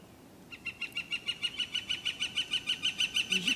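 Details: A woodpecker that wakes up the street drums on a metal gutter: a steady run of ringing, tinny taps, several per second, growing slightly louder. A faint low hum enters near the end.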